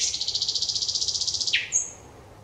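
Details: [1, 'yes', 'song', 'Thrush nightingale singing on 25 May 2021: a fast, even rattle of about thirteen sharp notes per second, high and clear, then a quick downward slur and a thin high whistle fading out.']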